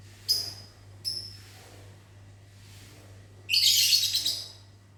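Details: Lovebird in a mini aviary in the morning, answering whistles: two sharp, very high chirps a second apart, then a harsh shrill squawking burst, over a constant low electrical hum.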